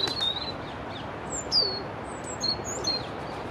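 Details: Robin singing beside the Long Water: thin, high, sweet whistled notes and short trills in scattered phrases, some sliding downward, over steady background noise.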